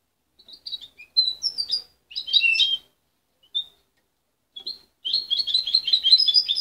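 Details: Immature goldfinch hybrid, raised by its mother rather than hand-reared and separated at 23 days, its song still confused. Scattered high chirps and short twittering clusters give way to a sustained rapid warble of tinkling notes.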